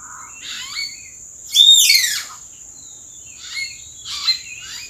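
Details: Common hill myna calling from treetops in April gives a loud, ringing whistle with a sweeping drop, then quieter gurgling notes, over a steady high insect drone.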